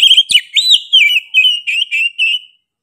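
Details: Oriental magpie-robin delivering a strong, sharp song: a continuous string of looping and warbling whistles, some rising, some falling, about eight notes in under three seconds, with no other sounds.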